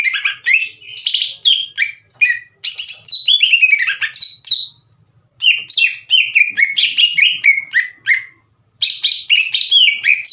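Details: Green leafbird in full, energetic song used to provoke slow-to-warm rival birds into answering: fast varied bursts of whistled, sliding and chirping notes in dense phrases, separated by brief pauses.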